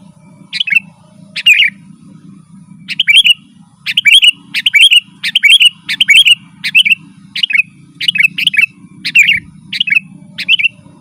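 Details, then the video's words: Song of a sooty-headed bulbul, used as a lure for wild birds and as a model for caged birds: crisp chirped phrases, each a sharp upper note then a bubbly lower twist, coming in rapid succession with brief gaps, low hum underneath. "Suara burung kutilang gacor Garuda full gacor dan ngeroll"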